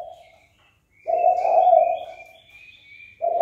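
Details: Spotted dove calling to provoke fighting. A fading coo tail is followed by a full, loud, throaty coo phrase and then the start of another. A thin, high chirping from another bird runs continuously beneath.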